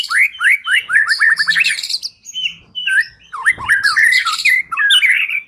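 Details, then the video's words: White-rumped shama lure song, used to get a silent bird singing: rapid, varied phrases of falling whistled notes and buzzy trills, quick descending slurs repeated in bursts, with a short pause near two seconds. "Pikat Murai Batu Dengan PANCINGAN GACOR Ini Di Jamin Macet Langsung Bunyi"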